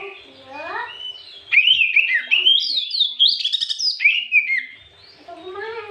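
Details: Afternoon white-rumped shama song used to provoke rival birds: soft rising whistled notes, then a loud burst of fast, varied sweeping whistles and chatters, easing back to quiet rising whistles.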